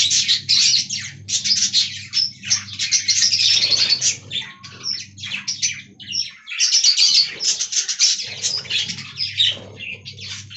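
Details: Flock of aviary budgerigars in a colony, loud continuous high-pitched warbling chatter of fast scratchy chirps, easing briefly after six seconds before resuming, over a low hum.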